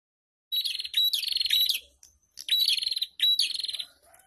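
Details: Prinia song in the ombyokan style, several birds together, used as a lure to get untrained caged prinias singing: three bursts of rapid, buzzy, chattering trills, high and dense, separated by brief pauses.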